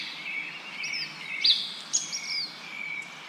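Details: A few thin, high, downslurred bird chirps and a faint high trill rise above a steady hiss of wind through leaves.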